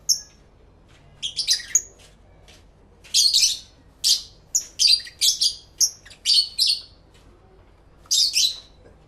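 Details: Pet lovebirds recorded in stereo with two external microphones, singing and calling to each other: rapid bursts of shrill, scratchy chirps and squeaks, about a dozen in quick succession with short gaps, over a quiet indoor background.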